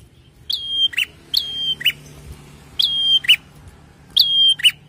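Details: Four prinia phrases, each a bright whistle that drops and levels off, then one or two lower harsh chirps, repeated about every second; played to set cage birds singing, over a soft low background hum.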